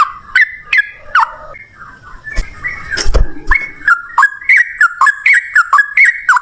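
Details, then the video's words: Sooty-headed bulbul in lively 'ropel ngalas' style, used as a lure to make bulbuls answer; a few scattered notes and low rumbling noise give way to rapid, bouncing whistled two-note phrases repeated quickly to the end. "suara trucukan gacor ROPEL NGALAS, pancingan trucukan agar bunyi jadikan burung trucuk nyaut gacor"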